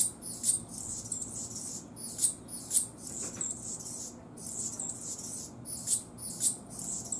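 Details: Anna's hummingbird singing: very high, scratchy and buzzy bursts repeated in quick succession, each phrase studded with thin, sharp squeaky notes, brief quiet gaps between phrases, over low steady background hiss.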